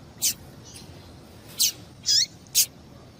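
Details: Female double-collared seedeater call for stimulating male song: four separate high, sharp notes spaced across a few seconds, one with a brief descending slur.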